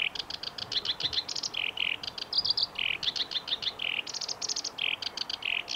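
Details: Black-browed reed warbler song recorded on 16 June 2019 at the Kita-Fuji training area in Japan, a continuous scratchy medley of rapid clicking bursts, harsh buzzy notes and brief whistled chirps delivered without pause.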